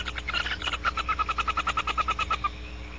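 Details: Barn owl outside its nest cavity at Audubon Starr Ranch gives a rapid twittering run of about fifteen short, even chirps, roughly seven per second, stopping abruptly after two and a half seconds; faint low hum behind.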